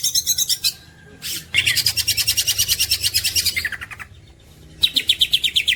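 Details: Green leafbird champion for masteran training: squeaky chirps, then a long pulsed high trill that drops into a lower rattle, a pause, and another buzzy trill.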